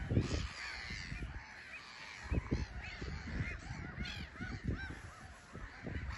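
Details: Black-headed gulls in a bustling colony on a small island at RSPB Frampton Marsh, taking off and landing under a grey sky; many overlapping harsh, arched calls rise and fall, with strong low wind rumble throughout.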